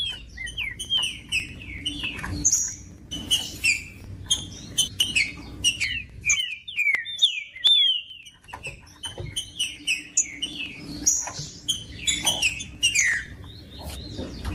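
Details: Green-winged saltator singing, meant to warm up caged birds for tournaments. Rapid series of whistled falling slurs mixed with many sharp high chirps, with a brief quieter pause in the middle before the chatter resumes.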